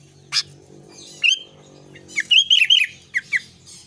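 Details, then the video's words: Albino sooty-headed bulbul, singing eagerly: a sharp chip, a clear whistled note, then a chuckling run of three falling liquid notes and two short chips, over a low indoor hum. "kutilang albino gacor"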